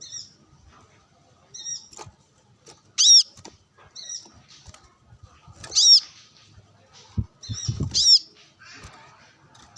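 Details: Brown-throated sunbird answering wild birds while sunbathing, giving loud high sharp chips roughly every three seconds with soft twittering phrases between and low bumping noises near the end.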